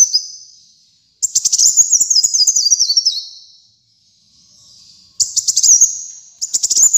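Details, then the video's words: High, thin song of a kolibri muncang sunbird: fading whine, a long rapid trill stepping downward, a soft quiet murmur in the pause, then two short sharp twittering bursts. "Kolibri Muncang Gacor Dor"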